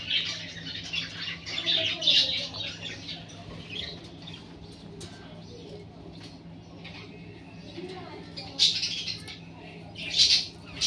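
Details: Classic budgerigar breeding pair kept in a cage, chicks newly hatched; continuous raspy chatter and squeaky squawks, with sharp louder peaks near the end and softer warbling notes in between.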